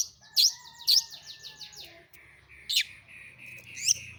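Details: Long-tailed shrike lure song to prompt other shrikes into song: loud sharp notes over a rapid buzzy descending trill, with sustained thin whistles running underneath and more harsh notes later.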